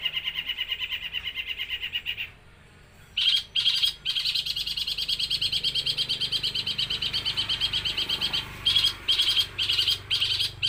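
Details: Eight-month-old long-tailed shrike from Jember, East Java, mimicking sparrow, kuntilanak and tengkek buto in one breath: rapid high chirping, a brief pause, then a renewed burst of quick scratchy notes broken by short gaps.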